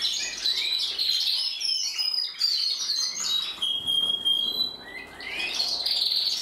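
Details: A group of canaries singing, with sweet whistled slurs, a long steady pure note midway, and bursts of quick high chirping trills.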